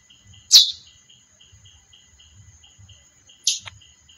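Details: Female chestnut-bellied seed finch giving two sharp, downward-sliding chirps about three seconds apart, over a steady high-pitched whine, faint pulsing ticks and a soft low hum.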